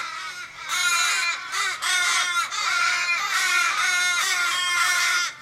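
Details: Group of fifteen or more Australian ravens in a Sydney street, Kellyville, 1 July 2012, distressed over an injured flock mate. Long, drawn-out wailing calls overlap almost without a break, falling in pitch at their ends.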